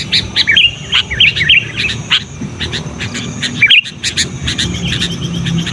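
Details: Sooty-headed bulbul calling loudly to lure wild bulbuls, used for training caged birds: clusters of bright, slurred chirps broken by brief gaps, with other light twitters and a low background murmur.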